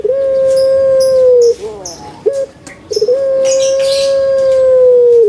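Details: Well-kept puter pelung, the Barbary dove, delivering a loud sustained hollow note, then a rapid bubbling roll of short notes, then another long level note of nearly two seconds. A faint background clatter is also heard.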